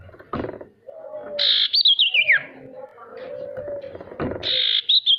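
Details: Singing male sirtu meant to prompt other birds to sing: a buzzy burst trailing into a falling, wavering whistle, then a second burst, with a constant low drone beneath.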